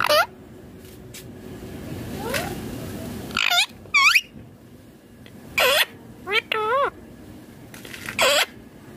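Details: Indian ringneck green parrot, described as a talking parrot, giving its natural voice: a series of loud, harmonic, bending squawks and wavering whistled notes in short bursts, with quiet gaps and a low background hum.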